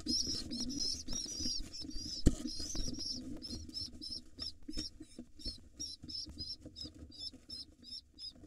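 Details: Hungry, overly excited wild rock pigeon nestlings being fed by their father: high, wavering squeals give way to rapid short peeps, roughly three per second, over low rustling and shuffling in the nest.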